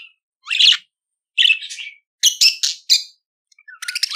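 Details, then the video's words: Budgerigar chirps: a few harsh rising squeaks, then quick buzzy chattering notes and a final rapid clicking trill. "CANTO DO PERIQUITO AUSTRALIANO"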